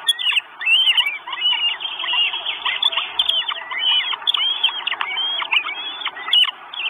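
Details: Four Northern goshawk chicks wanting food at their nest in Estonia, 1 June 2022, on a live nest camera: shrill, overlapping whining calls in quick succession, with a few brief lulls.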